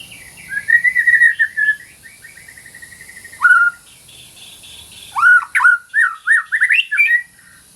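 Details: White-rumped shama, sung as masteran training material for shamas that stop singing: a run of quick whistled notes near one pitch, a lower slurred whistle, then a burst of rapid varied rising and falling whistles.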